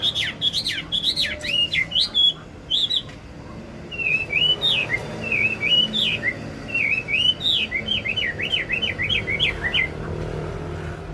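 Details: Wambi singing a lure song that prompts other birds to sing: a varied, jerky stream of whistled slurs and zigzag notes, a brief pause, then long wavy warbled phrases, over faint low hum.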